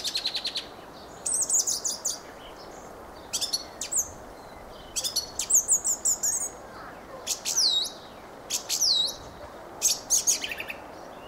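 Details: Fieldfare in song, delivering a long run of repeated squeaky, chattering phrases with descending slurred whistles, each phrase about a second long and separated by short gaps, over soft background hiss.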